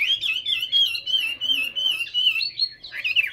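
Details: Hà Nội Hwamei delivering a sustained fluid whistled song, one long wavering melodic line that climbs slightly toward the end.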